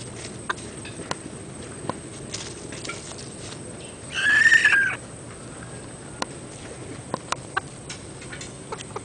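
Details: Tân Châu red junglefowl giving one brief, arched, hoarse call, rising then falling, over quiet background hiss with scattered faint clicks.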